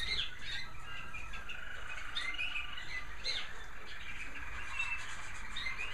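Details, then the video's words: Caged American Singer canaries in home bird rooms, heard in the evening during cleaning and feeding: several birds overlap in bright chirps and short warbled phrases over a steady low room hum. "Some beautiful canary sounds from my bird rooms"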